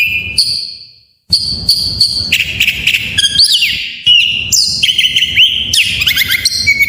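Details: Full-phrase white-rumped shama song for stirring reluctant shamas: after a short silence, clear level whistles give way to fast buzzy notes, swooping slurs and chattering trills.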